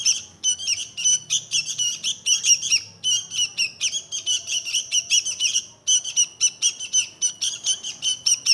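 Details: Sooty-headed bulbul (kutilang), Indonesia: dense run of harsh, chattering notes repeated rapidly in bursts, strong upper tones, with a brief pause near six seconds; no other clear sounds.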